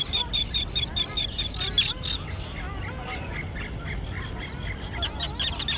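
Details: Grassy island colony of young terns that have just learned to fly. A thin, high whistled series opens, followed by a dense jumble of rasping squawks that fades, then a loud burst near the end.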